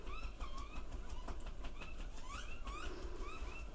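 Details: Juvenile grey butcherbird giving short slurred 'feed me' whistles, rising then falling, several each second, while trying to swallow an oversized cicada, over a steady low rumble like passing traffic or a train.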